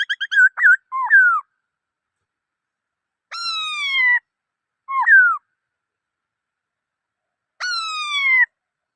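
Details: Black-throated laughingthrush song of rapid short notes, then hooked whistles and long gently falling harmonic whistles spaced a few seconds apart, against silence.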